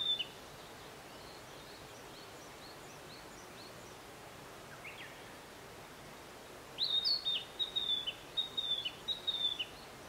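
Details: Narcissus flycatcher singing at Matsunoyama Onsen, Japan: quiet woodland hiss, then after about seven seconds a clear run of high whistled notes with short slurred flourishes, repeated in quick bursts.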